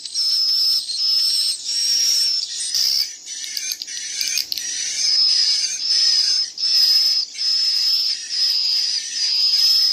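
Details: Swiftlet nestlings give thin, high, buzzy "ci ci cu cut" chirps in short bursts roughly once a second, several chicks calling, mixed with adult swiftlet calls over a steady hiss of many birds.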